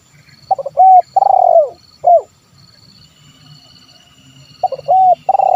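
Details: Spotted dove, locally terkukur, in 'kuk 1' coo style, a lure for wild and lazy-calling birds: stuttered opening notes, a flat coo, a long trilling note falling away, a short closing coo, then after a pause the phrase begins again.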